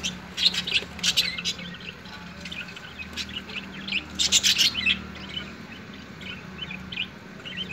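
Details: Parrots fighting: harsh, high, scratchy squawks in irregular bursts, the loudest cluster about halfway through, then softer scattered calls over a low background hum.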